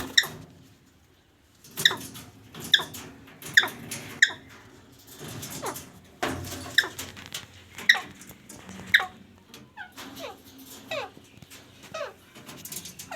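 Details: A pet parrot kept indoors, described as talking, utters a rapid run of short falling squeaky notes, several in quick succession, then further scattered calls over low room hum.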